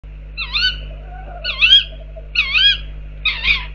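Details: Tawny owls outside an owl box give four short, wavering, harmonic-rich calls with a slight rise and fall, about one per second, over a low steady electrical hum.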